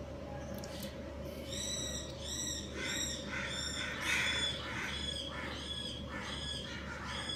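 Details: A breeding pair of budgerigars, or Australian parakeets, gives harsh, buzzy harmonic chirps in a quick run, about three per second, over a constant low mechanical hum.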